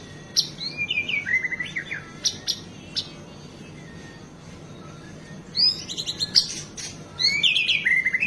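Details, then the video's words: Sparse 'isian' phrases of a White-rumped shama, used as master audio for captive birds; short high whistles and slurs, a long quiet gap, then renewed bright chattering and whistled notes. "MURAI BATU Gacor Full isian bikin emosi burung PASTOL // cocok untuk master isian burung"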